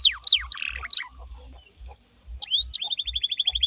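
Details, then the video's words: Canary song used as a lure for other canaries to answer: scattered sharp downslurs and a brief raspy burst, a short pause, then a quick even trill of rising notes, with steady low thumping beneath. "DI JAMIN KENARIMU BAKAL IKUT NYAUT KALO DENGERIN SUARA INI"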